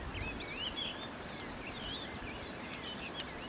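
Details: Cape canary, subspecies Serinus canicollis canicollis, at Kirstenbosch, Cape Town, South Africa, on 26 July 2012: faint warbled and twittering notes, some sliding upward, over steady background noise with low rumble.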